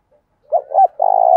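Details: Single phrase from a decoy spotted dove meant to provoke wild doves to call: two soft hooting notes run into a long, steady, low coo.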